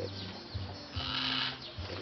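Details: Red-vented cockatoo (Cacatua haematuropygia), call.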